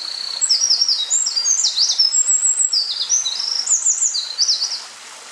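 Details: Eurasian wren, filmed singing at close range on 19 May 2012: a long, loud, breathless torrent of shrill trills and rapidly repeated high notes lasting almost five seconds, then stopping.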